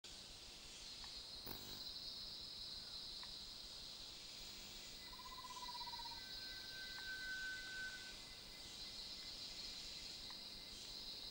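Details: Rail-babbler at KrungChing Waterfall gives a long, thin, level whistle held for over a second, preceded by a shorter lower whistle, over a steady high insect drone.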